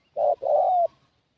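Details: Spotted dove lure call used to draw in wild doves: a short, hollow coo followed by a longer, slightly rising coo, in a quiet setting.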